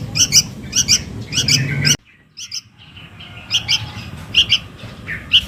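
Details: Sooty-headed bulbul chick calling its mother, used as a lure sound: harsh, raspy double bursts repeated quickly, a sudden break near two seconds, then fainter and louder rasping bursts resume over low background rumble.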